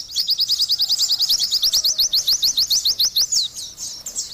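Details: Oriental white-eye delivering a loud run of rapid, thin, upslurred chirps, roughly ten a second for three and a half seconds, followed by a looser, slower scatter of high notes.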